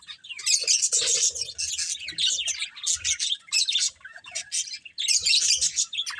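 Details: Playful budgerigars keep up loud, shrill twittering and fast chirps in overlapping waves, easing briefly near five seconds before a fresh burst.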